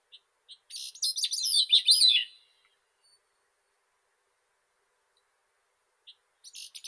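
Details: Grey-cheeked thrush (Catharus minimus), a shy bird that keeps low in shrubs but picks treetops to sing: one high, thin phrase of about one and a half seconds that twists and slides downward. Faint chips come before it, and a new phrase starts at the end.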